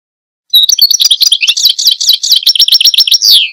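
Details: Singing goldfinch delivers a fast, unbroken string of sweet twittering notes and clipped trills for about three seconds, closing on a short buzzy drawn note; quiet surroundings.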